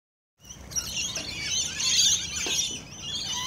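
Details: Rainbow lorikeets feeding close-up, a continuous high shrill screeching chatter after a silent start, loudest near two seconds, with several overlapping buzzy squeals.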